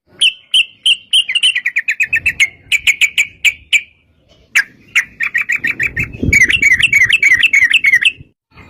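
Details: Yellow-vented bulbul singing a 'ropel' fighting song used to provoke other bulbuls to answer: separate clear notes first, then quickening series of bubbly warbled phrases, with a soft low thump near the end.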